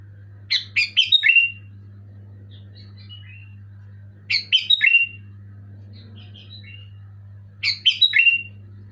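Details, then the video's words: Loud, clear Sooty-headed bulbul song for prompting a moulting bulbul to sing again: three rich chortling phrases about every 3.5 seconds, each followed by faint soft notes, over a low steady hum. "Suara burung kutilang gacor keras jelas bikin kutilang omyokan macet malas bunyi auto bunyi gacor"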